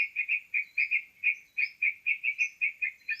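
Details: Sooty-headed bulbul sound used to lure birds into traps: evenly spaced chirpy notes, often paired, plus sliding thin whistles rising above them.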